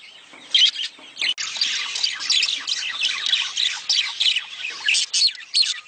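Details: Budgerigars giving mating calls meant to stimulate breeding: a dense flock chatter of overlapping high chirps, squawks and warbled notes, with short pauses and a loud burst near the start.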